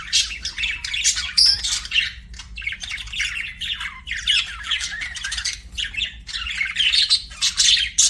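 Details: A budgerigar chatters in loud uneven bursts of rasping high notes, squawks and piping whistles, with short breaks between phrases and a faint low background hum.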